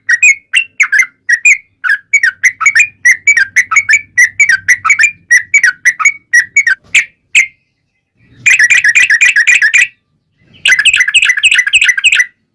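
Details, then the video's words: Yellow-vented bulbul song as a lure to get bulbuls calling back: a long run of quick liquid whistled notes, then two dense, overlapping bursts of chattering whistles separated by short silences. "SUARA trucukan gacor ROPEL PANJANG"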